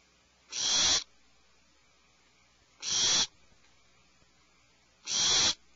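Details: Barn owl screeching at 04:20 PST: three harsh, hissing, broadband screeches, each about half a second long and spaced roughly two and a half seconds apart, over quiet night background.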